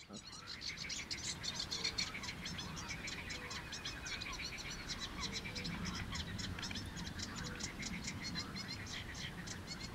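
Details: Black-winged Stilts at Mutěnice, Czech Republic, give sharp, yapping notes in a rapid, overlapping stream, with a low rumble of background noise underneath.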